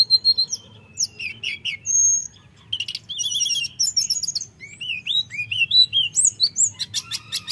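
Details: A common iora sings in a fluting, rolling style meant to make rivals agitated. Fast high chirps, a sustained buzzy note, then looping upslurred whistles and quick trilled series follow one another.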